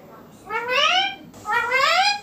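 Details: Indian ringneck parakeet, green, a pet on a neem tree, giving two drawn-out rising screeches, each lasting close to a second, separated by a short gap.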